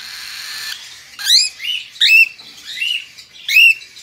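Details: Hand-tame white-faced pearl cockatiel chick: loud, raspy squawks with a rising start, given about five times in four seconds after a short stretch of hissing.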